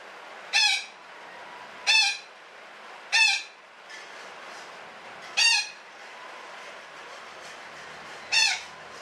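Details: Parakeet (betet) giving a long 'ngekek' chattering call: five harsh, buzzy squawks with stacked tones, spaced irregularly about one to three seconds apart, over a steady low hiss.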